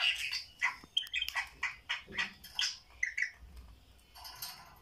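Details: Budgerigars, kept as pets, watching videos: soft chattering warbles and short squawky chirps, repeated irregularly at a low level with some background hiss.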